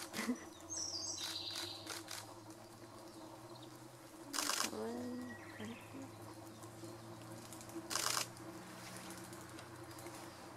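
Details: A Japanese thrush sings at Lake Kawaguchi on 14 May 2017: scattered high, clear whistled phrases over a steady low hum, with two sharp noisy bursts and faint voices nearby.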